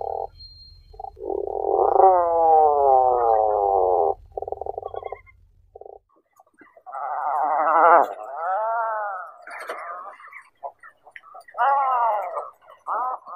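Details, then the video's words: Tufted puffin making long, wavering moans that fall in pitch, then short pulsed bursts, silence, and a series of rising-and-falling warbling groans with brief clicks between them. "Tufted puffin sound and call"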